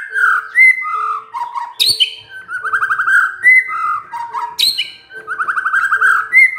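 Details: Shama song used as a lure to prompt other birds to sing: fast rolling trills alternating with loud whistled notes and high sharp upslurs, over a faint steady tone.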